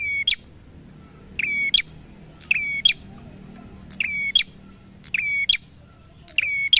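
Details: Prinia, known locally as prenjak, gives a steady series of song phrases, six in seven seconds, each opening with a buzzy note, holding a level thin whistle and closing with a sharp accented chip.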